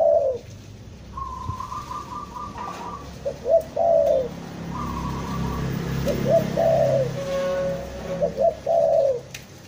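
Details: Spotted dove lure recording from Bandung, Indonesia, meant for trapping, in a stuttering, vigorous calling style: soft stuttered coo phrases with drawn-out endings and a few higher twittering notes, set against a steady low background hum.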